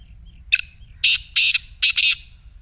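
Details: Caged-francolin lure of a Black Francolin's 'masti' call: an abrupt introductory chip, followed by two drawn-out raspy notes and a tight double burst, harsh and buzzy throughout.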